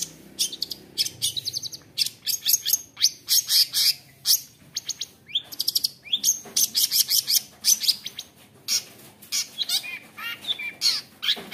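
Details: A long-tailed shrike taken young from the wild, a fighter type, sings to provoke other shrikes to aggression: a fast, varied run of high chips, harsh chatters and rolling trills, bursting several times a second.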